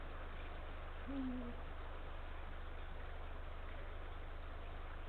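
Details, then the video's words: Late afternoon of 17 February 2023: a male Eurasian eagle-owl at the nest gives one brief, deep hoot that falls a little at the end, then silence apart from low hum. "Eagle Owl-Late Afternoon Visit"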